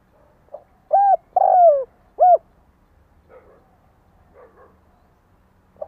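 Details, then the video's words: Decoy spotted dove calling to attract wild doves: three low, mellow coos, the first short, the middle one long and sliding downward, then a short final note, followed by faint soft murmurs and near silence. "Cu gáy mồi cây gáy gọi kích bổi nhanh nổi hiệu quả"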